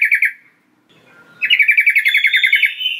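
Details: Sooty-headed bulbul (trucukan) call for luring wild birds: a short rapid chatter, a pause with a faint low slur, then a longer fast buzzy trill rising slightly at its start.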